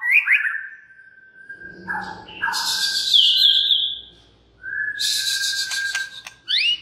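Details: White-rumped shama song meant to provoke other shamas into singing: long steady whistled notes interrupted by harsh buzzy bursts and sharp rising upslurs, with brief pauses between phrases.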